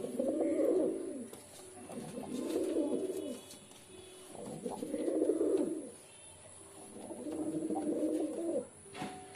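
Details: Four rounded, throaty pigeon coo phrases spaced roughly two and a half seconds apart, each rising and falling in a soft rolling murmur, with steady faint hum between them.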